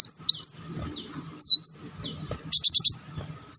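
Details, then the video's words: Olive-backed sunbird lure audio: thin falling notes and a long rising whistle, then a fast buzzy trill. Low background rumble is audible. "audio pancingan burung madu Wulung/Muncang"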